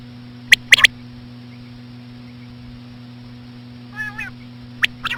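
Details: Common quail, female calls played to attract quail: one sharp three-part clicky phrase, a pause, a wavering nasal call, then more clicks, with a steady hum throughout.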